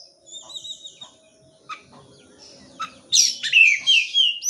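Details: Oriental magpie-robin song used to stimulate birds that will not sing: faint high warbled notes and scattered clicks at first, then a loud burst of sharp, shrill whistled phrases and rapid chirps.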